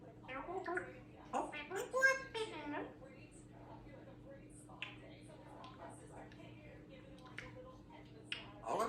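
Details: A young female African grey parrot, chatty and happy at home while practising her words, chatters in speech-like, gargly mumbles, busiest in the first three seconds, then scattered softer syllables over a low indoor hum.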